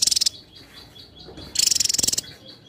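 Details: Javan tesia singing persistently: two sharp, very high, rattling bursts of rapid pulses about a second apart, with soft repeated thin notes in the background.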